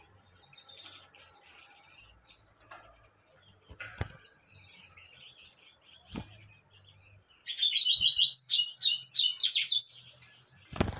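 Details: Singing Gouldian finch: soft high twitters and thin whistles, a few sharp clicks, then a loud, rapid run of buzzy, fluttering high notes near the end.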